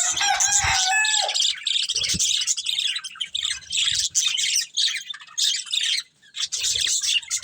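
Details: Budgerigar breeding pair, kept as pets, chirping: dense, scratchy warbling chatter with quick squeaky notes running almost without pause, plus a brief lower whistled note near the start and a few soft low knocks.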